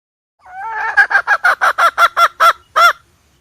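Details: Hen calling, used to lure birds into traps: a drawn-out opening note followed by about nine evenly spaced, harsh pulsed notes, the last slightly delayed.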